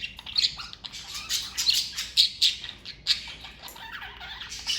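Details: Household parakeets in a family group letting out harsh squawks and chirps in quick pulses, roughly three to four per second at the loudest stretch, over a steady backdrop of softer chattering.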